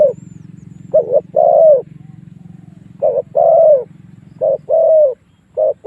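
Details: Decoy cooing of a spotted dove, meant to bring wild doves in to fight. Paired short and long hollow coos come in three groups, with pauses between them and a constant low droning hum underneath.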